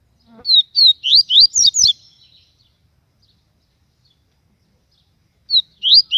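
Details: Yellow-bellied seedeater (papa-capim) from Aracaju, Sergipe, Brazil, singing the baiano 'tui tui' song style, strong and loud: a quick run of about eight high slurred whistles, down-then-up sweeps, then a pause and three more notes.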